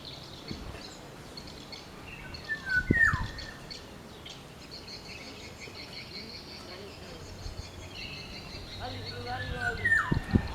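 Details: In the wild, a black-naped oriole (Oriolus chinensis) gives two rich, liquid whistles that drop sharply in pitch, about seven seconds apart, with soft background chirps and occasional low thuds.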